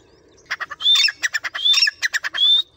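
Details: Tame captive Grey francolin trained by its owner, which calls when the owner whistles: a rapid series of harsh clicking pulses broken by three rising ringing whistles, in a loud burst lasting about two seconds.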